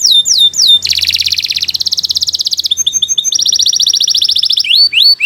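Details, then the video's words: Canary of the Kenari Nusantara strain singing a long, loud training song: swooping whistles, then fast buzzy trills repeated about four times a second, a brief chattering section and more rapid trills ending in rising whistles. "Kicau Burung Kenari 173 II LUAR BIASA GACOR PANJANG Cocok untuk Masteran"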